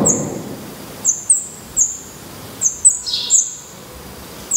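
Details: Black redstart nestlings in a nest in Portugal, eyes open and feathering out, give scattered short, high, thin downslurred calls, one lower hissy note near the end of the run.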